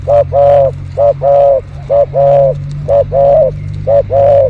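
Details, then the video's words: Loud, close spotted dove behind house plants, luring recording: four regular coo pairs, a clipped note then a sustained hollow coo, under a steady low hum. "Pikat burung terkukur"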